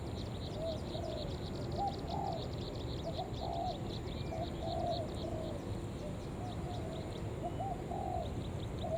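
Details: Spotted dove used as a lure bird to call other doves, giving a run of low, mellow two-part coos repeated about every second, over steady background hiss and rapid high chirping insects.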